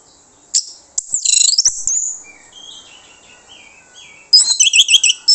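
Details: Orange-headed thrush lure song meant to draw replies from other birds: a loud rolling whistled flourish, a pause with faint descending notes, then a rapid burst of bright repeated chirping whistles.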